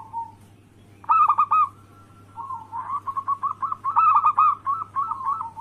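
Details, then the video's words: Zebra dove, local anggungan type, used as a lure so rival doves answer: a brief opening coo, a quick burst of rolling notes, a pause, then a long series of rapid, mellow coos rising in strength, with a faint steady hum. "Pancingan harian burung perkutut Anggungan Lokal gacor suara Bikin Lawan langsung Bunyi"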